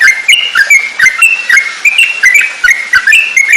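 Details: Bubbly whistled song of a Yellow-vented bulbul, used to train songbirds: brief level and slurred notes delivered in quick succession, with occasional crisp clicks between phrases.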